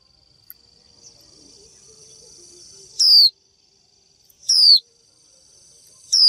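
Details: A female Japanese white-eye repeats its 'chíu' call to draw a male and make him sing. After a quiet start with soft background rustle, three loud descending whistles arrive about 1.5 seconds apart over a steady high whine.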